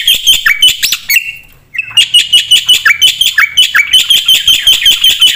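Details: Energetic Javan pied starling song with many varied notes, used as a lure and training master; quick rhythmic chattering with downslurred whistles, a brief gap, then a steady run of pulsed notes.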